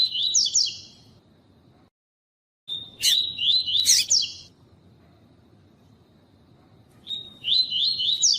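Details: Tui tui song of a double-collared seedeater, recorded with a female for training: three bursts of quick, high, zigzagging whistled notes, each one to two seconds, broken by pauses and a few sharp chips.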